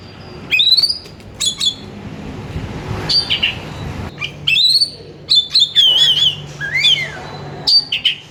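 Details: Lively Oriental magpie-robin song meant to stimulate others to sing: high chirps and whistles, a rapid wavering warble, then a swooping downward slur, phrases tumbling in quick succession with a low steady hum beneath.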